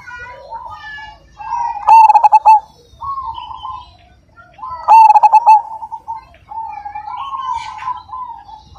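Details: Majapahit zebra dove, singing actively: two loud, rich bursts of fast clipped coos about three seconds apart, against softer wavering coos and faint chirps from other birds.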